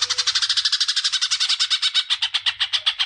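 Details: Greater green leafbird song played to stimulate young birds: a fast run of bright, buzzy repeated notes, roughly two or three per second, sliding slightly lower toward the end.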